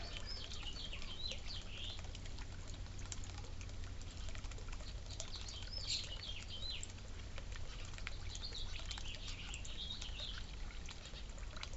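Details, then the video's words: Suburban birds at a birdfeeder and water fountain give soft, high, curving chirps in loose runs, some paired, over steady low background rumble. "Real Bird Noises, Birds eating and Drinking"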